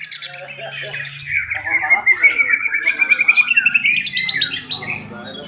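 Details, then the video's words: White-rumped shama, a kesra-style bird from Buntok, singing a rich stream of whistled and warbled notes, with a long sliding phrase climbing gradually and rapid trilled pulses through the middle. "Murai batu kesra buntok"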